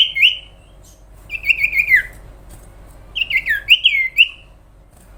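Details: Sooty-headed bulbul delivering a long song: a falling whistle, then a string of quick warbled notes sliding downward, a pause, and a final burst of looping, liquid whistles.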